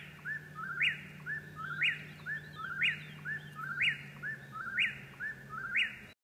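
A Whip-poor-will repeats its three-part whistled phrase about once a second, ending each time in a sharp upward snap, over a steady low hum.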